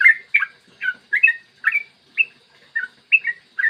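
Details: Yellow-vented bulbul, a lure recording to stimulate other bulbuls to sing, long rapid morning song: clear bubbly chirps, each briefly rising then falling, about eight notes in under four seconds with short gaps.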